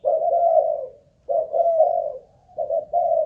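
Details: Spotted dove, Malaysian type, a caged decoy bird tested for song endurance, gives long drawn-out hoarse coos in two phrases, then two shorter clipped notes at the end.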